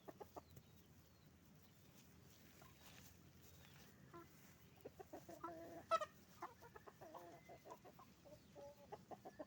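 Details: Roosters and hens on a chicken farm making noise; a dense chorus of short, repeated clucks and squawks builds in the second half, with one sharp high squawk near the middle over a steady low background hum.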